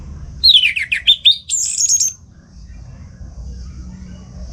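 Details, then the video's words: Orange-headed thrush kept at home singing in the morning for training other songbirds; a short burst of quick zigzagging whistled notes, then a high sustained trill, followed by quiet. "Pagi Hari Hari ANIS MERAH Ngeplong Gacor Untuk Pancingan & Masteran Burung Dirumah"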